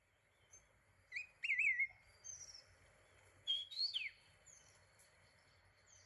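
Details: A White-whiskered (Formosan) Laughingthrush, endemic to Taiwan's high-mountain mixed coniferous and broad-leaved forest above 2,000 m, gives two loud, wavering whistled phrases, the second rising then sharply falling, with faint thin high notes around them.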